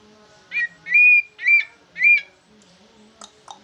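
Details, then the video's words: Large green leafbird singing in a style likened to a yellow-vented bulbul: three loud, clear whistled notes, each sliding up then down, spaced about half a second apart, followed by faint clicks in a quiet room. "Ci ijo jumbo rasa trucukan ngoceh"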